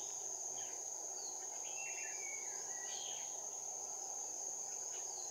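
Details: Caged red-whiskered bulbul used as a lure bird for trapping, 16 January 2019, moving in front of the cage; short warbled whistled phrases near mid-clip under a loud steady high insect drone, with a man speaking just after.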